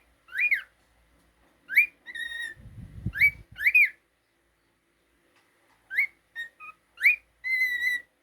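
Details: Indoor pet cockatiel uttering sharp upswept whistles, a couple of held level whistles and short mid-pitched notes, separated by quiet gaps, with brief low rustling partway through.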